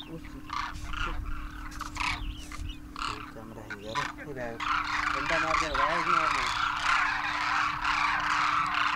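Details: Huge wintering flocks of Demoiselle cranes (Grus virgo), juveniles with adults after crossing the Himalaya, at Khichan Village, Rajasthan, India, give rolling, wavering trumpet-like calls building into a dense chorus as they take off, over hum and voices.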